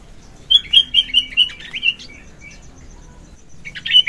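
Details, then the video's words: Vigorous morning song of a sooty-headed bulbul, used for luring and tutoring birds: a descending series of clear whistled notes, a few softer trailing whistles, then a renewed bright chirp at the end. "Burung Kutilang Gacor Pagi - suara kutilang gacor isian - suara kutilang gacor pikat terampuh"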